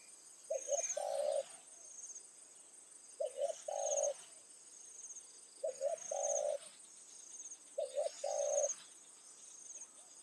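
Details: Spotted dove kept as a decoy, calling near fields in the evening to lure wild birds; four steady cooing phrases, a quick double note then a drawn-out coo, repeating every two to two and a half seconds, insects chirping high behind.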